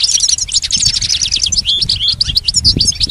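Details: Rapid, high-pitched twitter of a goldfinch, offered as a model song for teaching a pet goldfinch; tightly packed chirps, short trills and liquid notes tumble together without a break.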